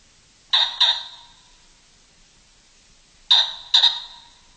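A common pheasant gives two loud, harsh double notes, a grating "kok-kok", roughly three seconds apart, against an otherwise quiet background.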